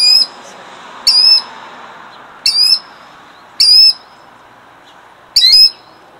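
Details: Nesting killdeer guarding her eggs at Jackson, New Jersey, in 2008 gives piercing, high, strident cries, five bursts in six seconds at uneven spacing, each a quick down-slurred note with a level tail, against quiet outdoor hiss.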